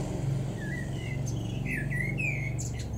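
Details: Male Common Blackbird singing in a garden in Weener, East Frisia, far northwestern Germany, in May 2022: soft fluted whistled phrases that break into higher, thin twittering notes, set against a constant low traffic rumble.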